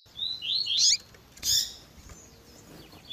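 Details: Double-collared seedeater singing tui tui zel zel style, mixed with female calling chirps: rising whistled notes sweep into a bright burst, then one sharp high chip, over faint hiss.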